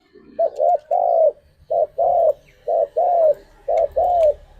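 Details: Spotted dove cooing as a morning lure meant to bring other doves into breeding condition: arched, mellow coo phrases repeated about once per second, each a short note followed by longer drawn-out coos, over a faint low hum.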